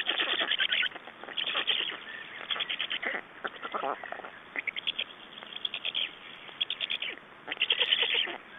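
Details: At a black stork nest in Estonia on 6 June 2011, during exchange and feeding, wheezy, rasping calls arrive in clusters of rapid pulses, then fall silent briefly before resuming, with a strong final burst.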